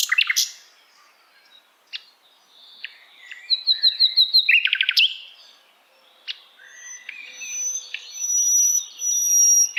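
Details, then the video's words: Asian brown flycatcher in a songbird tutor recording: scattered sharp chirps, then a quick run of repeated high notes mid-clip, followed by thin drawn-out whistles and rising phrases. "Sikatan londo masteran yang mudah ditiru segala jenis burung kicauan"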